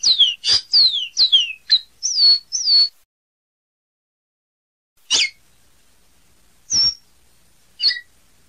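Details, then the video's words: A capuchino seedeater known as caboclinho sings a quick burst of descending slurred whistles for about three seconds, then falls silent before three isolated sharp high notes follow at wide intervals. "Canto do Caboclinho"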